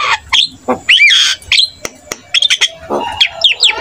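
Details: Jalak kebo (buffalo starling) song, meant to make other starlings answer; loud harsh squawks and rising whistles, followed by clicks and quick chattering notes.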